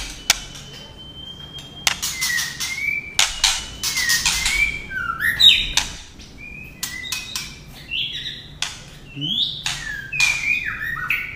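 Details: Female white-rumped shama, kept to stimulate males, giving a mix of sharp broadband clicks and short whistled slurred notes, some rising and some falling, scattered irregularly throughout.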